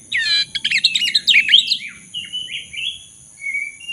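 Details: Rich, continuous warbling from a black-throated magpie-robin, a lure for birds that have stopped singing. Rapid twittering phrases give way to clear sustained whistles, with a steady high tone in the background.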